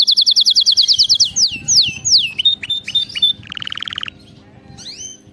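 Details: Canary song for training: a rapid high trill, then slow dipping swooping whistles, short level notes, a lower buzzy rattling trill, and a final rising whistle.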